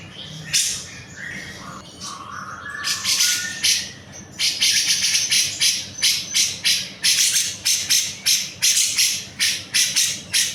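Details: Grey-cheeked bulbul singing vigorously for tutoring songbirds: mixed chirps and a short lower warbled phrase, then a long run of harsh buzzy notes about three per second, spacing slightly irregular.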